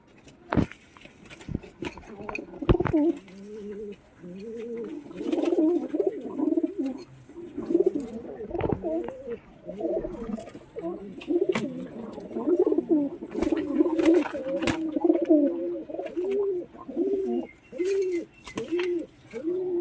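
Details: Fighting pigeons, two against one, keep up an almost unbroken run of low, gurgling coos that rise and fall. Loud knocks and flapping bursts cut through now and then.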